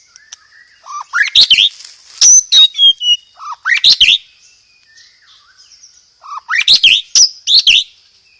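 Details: Loud, clear white-rumped shama song with fighting-sparrow fill and rapid 'roll tembak' rolls: three dense bursts of harsh sweeping chirps and rasping notes, mixed with a few thin whistles, separated by short quiet gaps.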